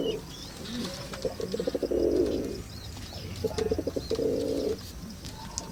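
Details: Pulsed, throbbing low coos come in two bursts from a mother pigeon guarding her young, with soft chirps and faint background noise between them.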